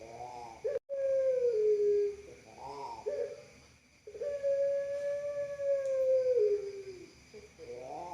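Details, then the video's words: Puter Pelung dove: a quavering rising note opens a steady coo that sags at the end, then more rolled notes and a second long, even tone lasting nearly three seconds before a final warble. "Bird_Dove_Pigeon_Puter Pelung Sound Sweet And Long Voice"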